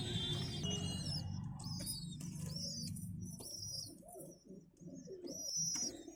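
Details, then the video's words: Young roller (girebaaz) pigeons being fed by adults beg with thin, high squeals in short bursts over a low, steady rumble of cooing and background hum. "Pigeons feeding baby pigeons"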